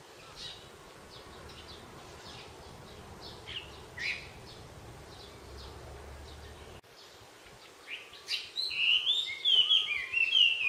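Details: Wild birds singing at Sayama Park in Japan: several high chirps and short notes scattered through the first half, then louder, sharper whistled and trilled phrases near the end over steady low background hum.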